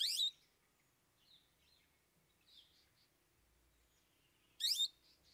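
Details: Long-tailed shrike, known locally as cendet, singing in a phrase with three mimicked filler parts. Two short, harsh, buzzy chattering bursts about four seconds apart, with faint scattered high notes between them in a quiet setting.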